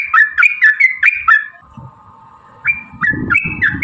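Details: Sooty-headed bulbul singing in lure style, 'gacor' and long: a short burst of falling whistled notes, a pause with a faint hum and low thumps, then more whistles.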